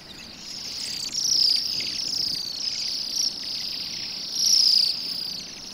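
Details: Bohemian waxwings feeding on rowan berries in a roadside yard in Pushkin, St Petersburg, Russia, on an overcast December day; a continuous high, thin trilling chatter from several birds, swelling louder around one and four and a half seconds.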